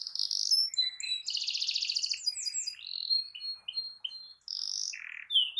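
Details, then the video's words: Canary singing a long rolling song meant to provoke other canaries into singing, with fast buzzy trills near 4-6k, sweeping whistles and short varied notes in quick succession. "Kicau Kenari Gacor Efektif PANCING EMOSI Kenari lain Cepat ikut gacor Ngerol panjang"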